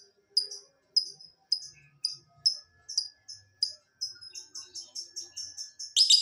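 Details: Lovebird calls played to prompt other lovebirds to sing: high, clipped chirps repeated about every half second, quickening into a faster run of chirps near the end, with faint low background noise.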